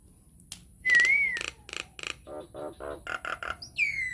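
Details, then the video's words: Nias hill myna, a captive bird in full song, used as a lure to provoke other mynas to sing. A clear rising-falling whistle is followed by rapid pulsed chuckling notes and bursts of clicks, then a sharp descending whistle at the end. "PANCINGAN / MASTERAN JALAK NIAS GACOR, TEMBAKAN DAHSYAT"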